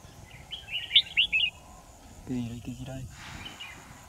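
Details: Red-whiskered bulbul used as a decoy bird for trapping, recorded 10 December 2018: one short burst of quick, bright warbled chirps, then a man talking over low background noise.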